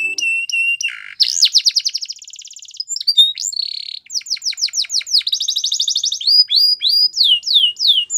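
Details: Male canary in full song, switching quickly between whistled notes, a low brief tone, rapid rolling trills and runs of sharp descending sweeps repeated about three times a second.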